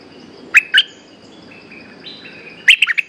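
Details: Resident bulbul answering a caged lure bird with its 'sap dok' song: two short, loud chirped notes, a pause with faint high tones, then a quick run of three or four sharp, bubbly notes.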